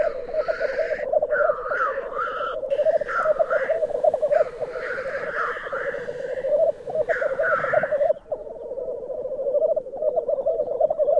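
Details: Lekking black grouse at Glen Tanar, heard from a photography hide: steady rolling, bubbling coos form a constant background while many overlapping hoarse hissing notes burst out in quick succession, then fade, leaving only the bubbling.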